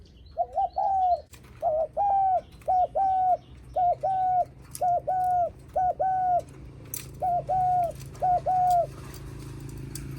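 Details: Spotted dove giving its greeting coo for visitors arriving at the house: a run of short, mellow, bouncing coo notes, mostly in pairs, repeated steadily for about nine seconds against a quiet, low background hum.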